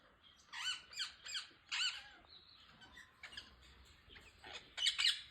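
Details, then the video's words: Rose-ringed parakeets (green ringneck) give harsh, grating, high scratchy squawks in short bursts, about one a second, with a quieter stretch of softer chatter between. "Parrots natural sound"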